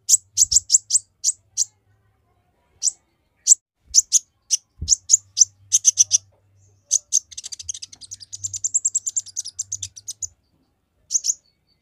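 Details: Olive-backed sunbird in rapid, close-fired song aimed at agitating other males: evenly spaced very high chips, then a fast trilled buzzy run of about three seconds, ending with one final chip.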